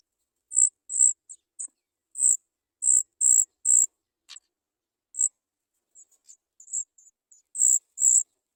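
Sooty chat nestlings beg with very high, thin squeaks. The calls come in short bursts, about two a second, with uneven pauses. One brief scratchy sweep is heard midway.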